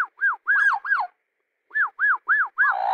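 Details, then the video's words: Pet nine-month-old Australian magpie perched on a stump in a garden pond, singing a run of clear arched whistles, each rising then falling. Four notes, a short pause, then four more ending in a buzzy warble. No other sounds. "Singing, My Beautiful Baby 9 Month Old Australian Magpie"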